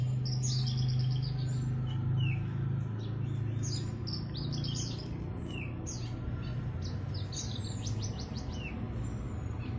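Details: Australasian bushlark (branjangan), a kept hobby bird, in lively song: dense high chirping with rapid stuttered note series and quick downslurred whistles, delivered almost continuously above a constant low rumble.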